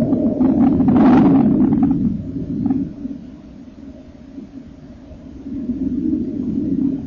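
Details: Common kingfisher young being fed in the nest on 30 April 2014, eyes starting to open; a loud rasping buzzy chorus with scratchy bursts dominates the first two seconds, then sinks to a quiet low hum before building again.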